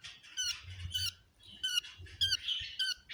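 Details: Budgerigar chirps during egg hatching: distinct, nasal, harmonic notes in quick bursts, some warbled and some clipped, separated by brief pauses, with soft low rumble beneath.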